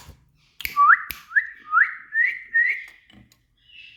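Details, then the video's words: Indian ringneck parakeet whistling indoors: a run of five short, bright whistled notes, each sweeping upward and then leveling off, spaced about half a second apart, with a couple of sharp clicks just before. "Indian Parrot🥀Rocky Green🌿Parrot Talk"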